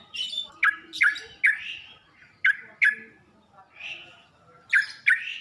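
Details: Yellow-vented bulbul singing, used as a masteran for training caged birds to sing: rapid bright gurgling notes in clustered bursts, several phrases close together then a pause before more.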